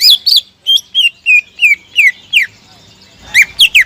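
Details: Singing greater green leafbird, played to rouse rivals into song: a run of about ten clear slurred whistles, each dropping in pitch, spaced a little over a quarter second apart, then a brief gap and three sharper notes.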